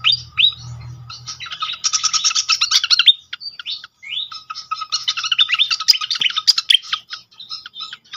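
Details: Pied fantail song, used as a lure to get other fantails singing, delivered as dense, squeaky, jumbled chattering high notes in two long bursts split by a brief pause near three seconds, with a low hum at the start.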